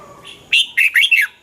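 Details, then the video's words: Single red-whiskered bulbul phrase meant to stimulate caged birds: a soft lead-in note followed by four quick, loud, warbled chirps in under a second. "เสียงนกกรงหัวจุก สำหรับต่อ หรือ เปิดให้นกคึก เสียงเพราะๆ"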